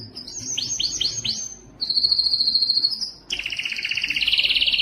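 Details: Canary tutoring song: five repeated downward-sweeping notes, a long steady high whistle, then a dense rolling buzzy trill to the end.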